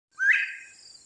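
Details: A Northern bobwhite singing: a single brief clear whistle that slurs sharply upward, then fades out, with faint high steady hiss in the background.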